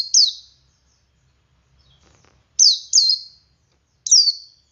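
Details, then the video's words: Male Oriental white-eye singing in ngalas style to prompt other white-eyes: single and paired high, strongly down-slurred whistles with pauses of a second or more, and a faint low murmur between notes. "Suara Burung Pleci Jantan Ngalas Memancing Pleci Lain Ikut Ngalas"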